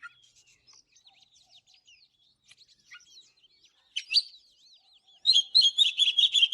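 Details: Morning song of an Oriental magpie-robin: soft, varied high whistles and slurred notes, then a louder rising note near the middle and a closing burst of rapid, bright repeated chirps.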